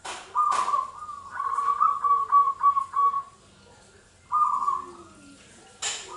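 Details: Local zebra dove cooing energetically: a series of soft, trilled low coos in rapid succession, pausing, then resuming. A steady thin electronic tone runs throughout, with two sharp clicks.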